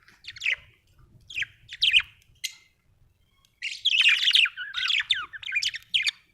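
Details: Pet budgerigar giving short, sharp chirps spaced about half a second apart, then breaking into a longer, continuous scratchy warble with rising and falling squeaky notes, low rumble underneath.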